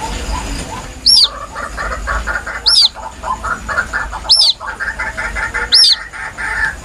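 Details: Young white-breasted waterhen calling, a recording meant as bait: four loud, thin, piercing squeaks that bend downward, spaced about every one and a half seconds, with a constant rattling background chorus of lower, frog-like croaks.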